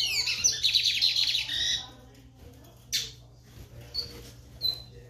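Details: Lined seedeater delivering a burst of quick, high, tinkling trills for nearly two seconds, followed by silence and a few separate short chips and a sharp noise.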